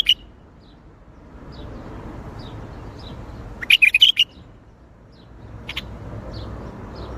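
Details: Bulbul in Baghdadi-style song: a single quick, bright warbled phrase of a few rapid notes midway, a lone high note at the start, sparse soft chirps around and steady low background hum.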